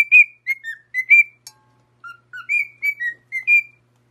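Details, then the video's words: Singing parrot giving pure, tuneful whistles: a short melodic phrase of rising and falling notes, a brief click, then a second phrase of steady and slightly lower whistles, in a quiet setting. "Parrot Making The Sweetest Sound Singing"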